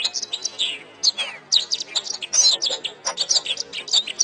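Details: Canary song used to train kept songbirds: quick high chirps mixed with a few smooth falling whistles, notes repeating in irregular rapid bursts.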